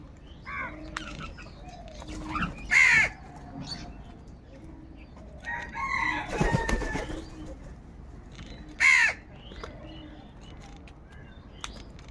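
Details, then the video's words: Crows fighting for food call out loudly: harsh, raspy caws spaced several seconds apart, each short and forceful, amid rustling, wing flaps and a brief noisy scuffle in the middle. "Crow bird Fight for Food | Crow birds loudly Crowing sounds"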